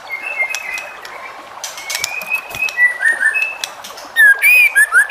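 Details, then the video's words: White-rumped shama singing to prompt other shamas to reply: soft drawn-out whistles give way to louder slurred phrases and a strong burst of piercing whistled notes at the end. "MURAI BATU JENIS APAPUN PASTI NYAUT EMOSI DAN GAK BISU LAGI DENGAN SUARA MURAI BATU INI"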